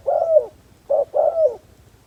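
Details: Decoy spotted dove used to attract wild doves: a mellow coo drawn out with a falling tail, a short clipped note, then another long coo sliding down, over a quiet low rumble.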